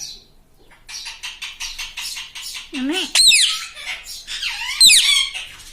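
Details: Talking pet parrot, said to say "mummy", gives a quick run of rapid clicking, chattering notes, then several loud, twisting, speech-like syllables with sharp rising and falling pitch.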